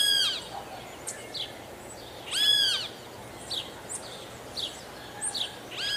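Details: Guira cuckoo giving arched, overtone-rich whistled notes about two seconds apart, with softer chirping calls scattered between them over light background noise.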